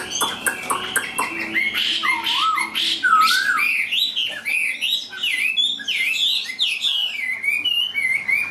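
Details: Caged, hand-tamed Chinese hwamei singing strongly: a rich, fast run of loud looping whistles, swooping up and down in pitch, with brief harsher chips at the start and barely a pause across the phrase.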